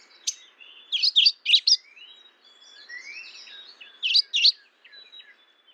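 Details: Mourning warbler calling with a rolling run of four strong, slurred high notes, a pause, then two more loud notes, while fainter birds chirp and whistle in the background.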